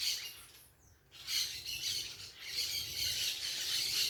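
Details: Several parakeets calling outdoors in a natural setting: dense, harsh, high screeching chatter running almost without pause, with a short quieter gap near the first second before the shrill squawks resume.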